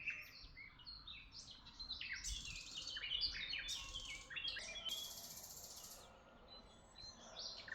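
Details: Birds in Tuzla chirp in a tangled chorus of sharp high twitters and trills. Brief hissy bursts break in near the middle, with a low rumbling background throughout.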